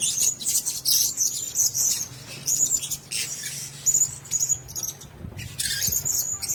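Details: Blue-crowned hanging parrot at a nest: high shrill squeaks and twittering bursts over a low steady hum.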